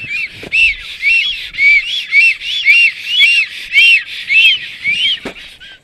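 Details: Black stork pair greeting at their nest on 30 April 2022 around 12:34 PM, as a strange female arrives; a rhythmic series of hoarse, arched whistled notes, about two per second, each with a breathy rasp, continuing steadily for several seconds.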